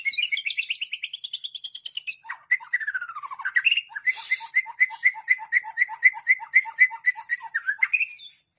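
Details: Murai batu (white-rumped shama) masteran song: a quick rattling trill, a descending slurred phrase, then a long run of evenly repeated two-note chirps, about four each second, ending in a rising whistle.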